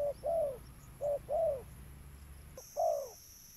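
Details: Spotted dove, played to attract birds, giving three low two-part coos, short note then longer falling note, with a pause before the last; steady high tone in the background.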